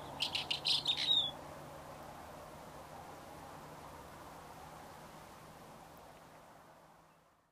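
Buff-streaked chat giving a quick burst of five or six high, scratchy chirps within about a second, followed by steady hiss and a low hum.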